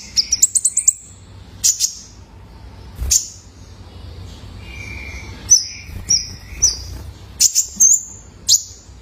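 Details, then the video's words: Caged juvenile male Kolibri Ninja used as a lure for other birds: scattered high sharp chips and short clear whistles, one level lower whistle, with gaps of quiet between phrases. "COCOK BUAT TERAPI KOLIBRI NINJA - SUARA ANAKAN JANTAN!!"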